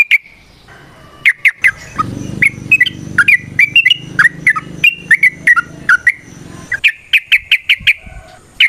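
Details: Trucukan (sooty-headed bulbul) with variation song meant to coax other birds into singing; bright, clipped whistles come in irregular bursts, with a low background hum in the middle and a brisk run of notes near the end.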